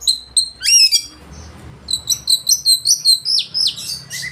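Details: Oriental magpie-robin singing loudly with a rich repertoire, meant to provoke rivals into singing and spreading their tails: sharp high chirps and rising whistles, then a run of quick repeated bright notes sliding downward near the end.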